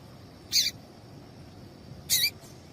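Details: Female double-collared seedeater calls, used to warm up males and get them singing: two short, bright, high chips about one and a half seconds apart over faint steady background hiss.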